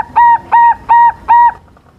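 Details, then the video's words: Four steady, level cooing notes from a young silver zebra dove singing vigorously as a lure to draw rival birds to answer, evenly spaced and fading into quiet. "suara pancingan perkutut silver muda gacor lawan auto nyaut"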